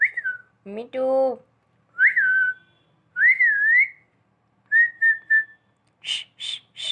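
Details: Pet talking parrot whistling in a human-like way: short rising-falling whistled notes, a longer wavering whistle and a quick triple whistle, broken by a harsh, buzzy squawk early on and a few noisy bursts at the end.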